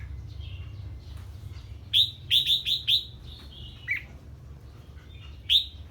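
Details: Red-whiskered bulbul reacting to an unfamiliar bird's voice: a fast run of four sharp whistled notes, then softer slurred notes and one final bright note, against a low rumbling hum.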